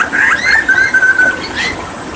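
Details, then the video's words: Hooded butcherbird from Papua in full song during water therapy, giving a bright, sustained whistle that wavers slightly in pitch, then a brief rising note at the end. "Masteran Tembakan JAGAL PAPUA gacor"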